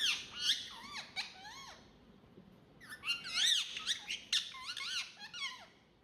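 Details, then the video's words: Pet ringneck parrot indoors, one of two talking parrots, giving high, harmonic, wavering squeaky utterances in short bursts, several rising and falling phrases separated by brief pauses, with a person speaking softly nearby. "Talking Parrot"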